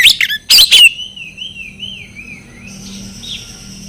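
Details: Training song of an Oriental magpie-robin for mute or stressed birds: three loud harsh notes give way to a long wavering whistle that undulates downward, then thin high notes fade out.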